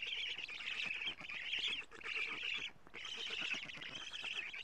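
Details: Black stork nestlings at a nest in Estonia, 14 June 2017 at 07:47, as the female brings many lampreys; nest camera. Harsh, buzzy, rasping calls run almost continuously, broken by short pauses about every second.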